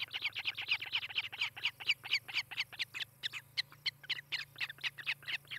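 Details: Osprey calling at its nest in Charlo, Montana, filmed by a webcam on 18 July 2018 around late morning: loud, repeated piping chirps, about two per second, rapid at first then spacing slightly, a low hum beneath.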